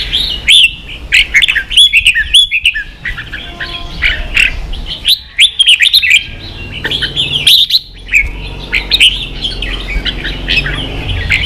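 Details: Red-whiskered bulbul, a kept songbird in Vietnam, singing fiercely in a contest: bright, chirpy warbled phrases around the upper-middle range, delivered in quick bursts separated by brief pauses, with sharp clicks throughout.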